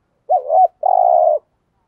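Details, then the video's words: Decoy spotted dove used to stir wild birds to answer and fight: a single clean phrase, a quick wavering double note followed by a steady buzzy coo, in silence. "chim cu gáy mồi thúc rút bổi gáy theo rất cao"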